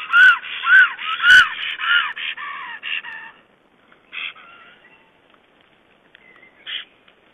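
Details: Pair of black storks at their nest in Estonia: a run of loud, hoarse, harmonic calls repeated roughly twice a second for three seconds, then a few softer, scattered notes with quiet gaps.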